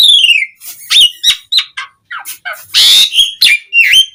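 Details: Asian pied starling in bright full song, used to coax other starlings into answering: a descending whistle, clipped chirps, a broad harsh rasp and a final dipping whistled note.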